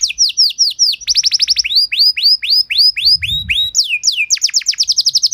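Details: Canary masteran and pancingan song, meant to train and provoke other canaries into rich singing: clear, whistled downslurred notes repeated in quick series, speeding into rolling trills, then a high whistle sliding down and fast bright phrases.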